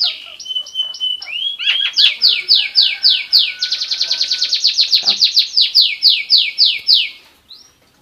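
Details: Asian pied starling from Lampung, Indonesia, sings a long run of loud, quickly repeated downslurred whistles, about three to four per second, after a few opening chirps, fading out at the end.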